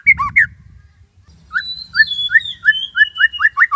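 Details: Caged white-rumped shama (murai batu) singing a full song, loaded with imitated phrases. Opens with a few loud whistled notes, then a series of short upslurred whistles about every third of a second under a thin high whine. A faint low hum runs beneath.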